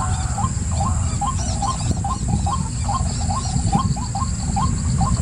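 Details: White-breasted waterhen repeating clipped, rising notes about twice a second, accompanied by faint higher chirps from other birds and a persistent low rumble.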